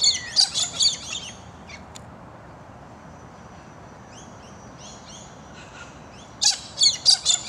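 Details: A pair of Galahs chatting to each other in a small street-end park after overnight rain, morning, give bursts of harsh, screechy notes at the start and again near the end, with fainter high chirps in between.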